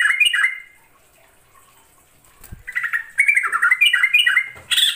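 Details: East Javan yellow-vented bulbul, recorded as a trapping lure, singing quick chattering phrases of bubbly notes that rise and fall, a short pause, then a dense run of chirps ending in a harsh burst.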